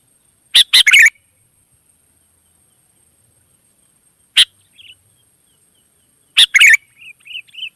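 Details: Wild sooty-headed bulbul in lively answering song: a quick burst of three bubbly notes, a lone sharp chirp, then another phrase followed by soft wavering whistled notes trailing off.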